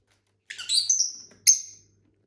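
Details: Pet lovebirds kept as a family flock chirp in a sharp, harmonic burst lasting about a second, then one short bright chirp after a brief pause; a faint low hum sits underneath.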